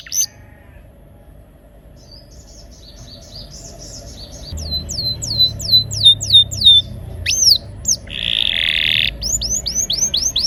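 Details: Canary prompting song for canaries that will not sing: quiet at first with soft chatter, then crisp falling whistles in quick runs, a buzzy trill, and more rapid whistled notes.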